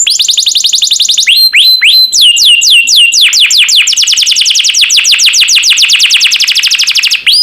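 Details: Canary song recorded as a master for tutoring other birds, made of rapid repeated downward-sweeping notes that form long rolling trills, slowing into clearer separate notes and then speeding up again.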